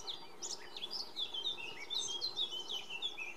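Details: Singing Iberian pied flycatcher, Sierra de Piedrahita, central Spain, 4 May 2014. Rapid high phrases of swept, twittering notes run almost continuously. Other birdsong is faintly audible behind it.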